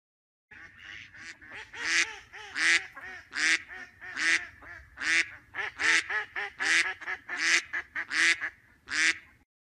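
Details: Duck quacking loudly and nasally, a dozen harsh, buzzy quacks in steady succession roughly every three-quarters of a second, some doubled, with no other sounds.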